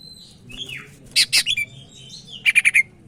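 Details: Sumatran leafbird of the Medan type singing, a tutor song for other birds: a soft downslurred note, two loud harsh bursts, then four quick evenly spaced clear notes, with low hum behind.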